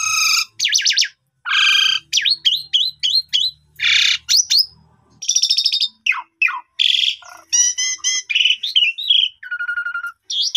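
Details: A caged Asian pied starling sings a fast, varied medley of clear whistles, harsh chattering bursts and squeaky notes, with short pauses between phrases.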